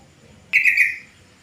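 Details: Yellow-vented bulbul calling in the afternoon, a call meant to draw other bulbuls to answer: one bright, bubbly burst of quick warbled notes lasting about half a second, then quiet background.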